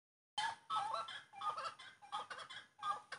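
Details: Grey-cowled wood rail song: loud, harsh, broadband cackling notes in rapid irregular bursts, each with a clearer tone near the low middle, separated by short gaps.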